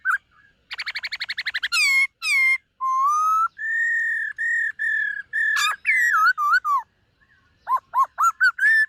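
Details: White-cheeked laughingthrush, a dancing-type bird, practising its voice in the morning: a rapid trill of about a dozen notes, then long level whistles, a burst of complex notes and looping slurred whistles.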